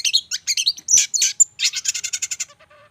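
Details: Champion contest songbird in full song: a quick burst of varied chirps and squeaky notes, a sharp whistle, then a fast run of repeated high chips fading into soft lower notes.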